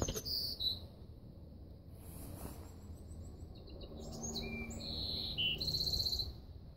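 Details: High, buzzy warbler phrases from a golden-cheeked warbler, one near the start and a longer run of thin buzzes and trills in the second half, with faint chirps of other birds and low background rumble.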